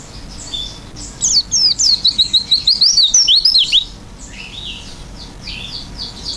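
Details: Oriental white-eye in vigorous filled-in song: a lively burst of rapid high twittering and sliding whistled notes lasting about two and a half seconds, followed by faint, softer chatter.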